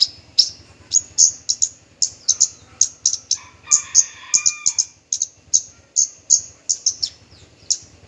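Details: Persistent song of a male Horsfield's bushlark, parva form: dense, rapid high chips and slurred notes in irregular clusters, briefly accompanied by a lower buzzy warble, over a faint low hum.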